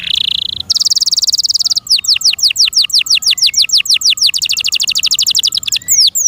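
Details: Caged canary song opening with a buzzy tone and a fast rolling trill, then a long string of crisp downward-sweeping whistles, repeated about three times a second.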